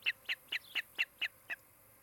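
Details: Osprey at its nest in Charlo, Montana, picked up by a nest camera on 16 July 2018 in the afternoon: seven sharp, high chirping notes in an even series, about four per second, over a quiet background.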